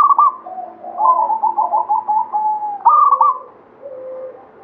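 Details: Local zebra dove of Banyumili katuranggan singing: opening loud coo, a long series of quick pulsing notes, then another loud stuttering phrase trailing into a soft low coo.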